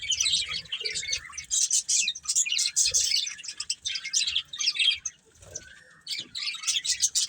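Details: Breeding pair of colourful budgerigars chirping: dense, scratchy high warbling chatter in rapid bursts, briefly dropping away around the five-second mark before resuming.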